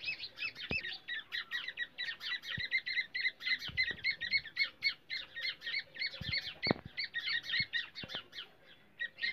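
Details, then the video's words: Black francolin calls from India, a trapping lure described as baby francolin voice: steady rapid series of sharp high chirps, many overlapping, with occasional clicks and a faint hum. "teetar voice Kala teetar"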